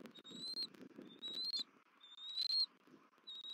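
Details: Wild bald eagles at a Southwest Florida nest, 31 December 2023: the female comes back while the male feeds the eaglet and screeches at him. Piercing, slightly rising whistles, each about half a second, repeated roughly once a second, over soft rustling.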